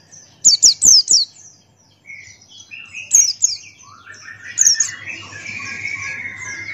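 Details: Singing white-eye of the Buxtoni type, used as a tutor recording: clusters of very high, sharply falling chirped notes in a quick run of four, then looser pairs, with softer twittering between.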